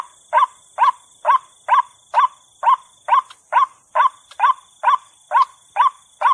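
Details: White-breasted waterhen calling at night, played to lure birds: a loud croaking note repeated steadily about twice a second, each rough and slightly rising, with a faint high electronic hum behind.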